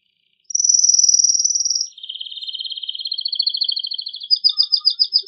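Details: Vigorous male canary song used to spur female and male canaries to mate: a smooth high roll, then a buzzy middle-pitched trill that rises into louder, slower pulsed notes.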